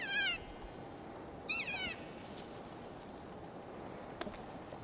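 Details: Keas at Avalanche Peak, picking up rocks with their beaks and then investigating a rucksack; two loud, wavering, harmonic screeches about one and a half seconds apart, followed by faint clicks over a quiet outdoor background.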